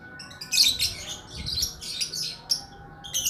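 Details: Bird known as lakbet gives quick clusters of high, scratchy chirps in short bursts roughly every half second, over a faint constant hum.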